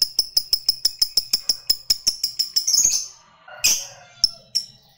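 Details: Fighter lovebird chatter meant to excite rival lovebirds: a quick run of crisp, clicking high notes at a steady beat for three seconds, then a scratchy burst and a few isolated sharp chirps.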